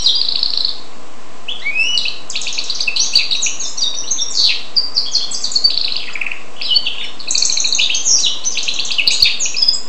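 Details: Goldfinch and canary hybrid (Carduelis carduelis x canaria) singing a long, varied twittering song of rapid chirps, trills and buzzy notes, with a short phrase at the start and then near-continuous warbling after a brief pause.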